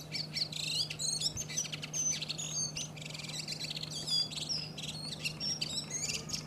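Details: A Redwing sings in Iceland during April, delivering a continuous jumbled warble of squeaky whistles, chirps and scratchy notes, varied and fast, over a constant low hum.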